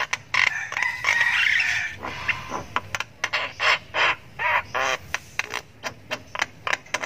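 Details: Javan myna nestling (jalak kebo) in long ngriwik chirping while learning its voice: an extended harsh rasping burst, then quick repeated scratchy squawks, several per second.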